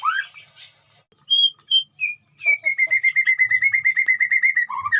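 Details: White-rumped shama singing vigorously in a colony cage at a breeding setup: a few varied whistles and slurred notes, then a fast run of bright, evenly repeated notes, ending with a lower slurred phrase.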